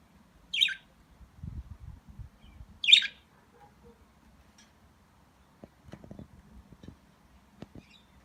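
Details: A pet budgerigar out in the sunshine gives two short, harsh, high chirps a couple of seconds apart over soft low thumps.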